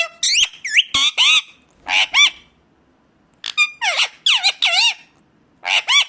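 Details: Indian ringneck parakeet in full voice: grating, high squawks with looping pitch bends, delivered in clustered bursts of two to four calls separated by brief silences.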